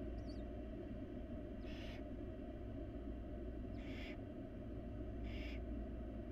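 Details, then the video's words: Wild barn owl babies in a nest box hiss to be fed by their mother. Three rough, airy bursts come roughly every two seconds against a persistent low rumble. "Barn Owl Parenting: The Tender Moments of Feeding Her Babies"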